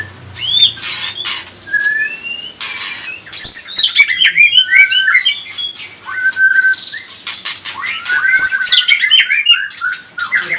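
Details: White-rumped shama song used to provoke other birds: bright whistled slurs and rapid chattering phrases, high sharp notes mixed with clicks and short noisy bursts, delivered in varied bursts with brief pauses.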